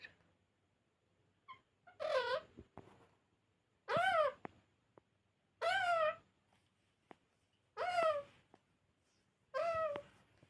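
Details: Pet parrot talking indoors: five tonal, harmonic utterances spaced roughly two seconds apart, each dipping and rising in pitch, with faint clicks between.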